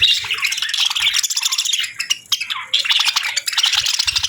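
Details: Winter morning chatter from parakeets at feeding time. A continuous stream of buzzy warbling and sharp pulsed chirps from several birds overlaps, dipping briefly before picking up again.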